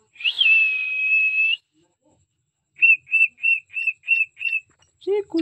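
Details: A singing pet cockatiel holds a long, clear whistle, falls silent, then gives six brisk whistled notes in a row, followed by lower, buzzy syllables at the end.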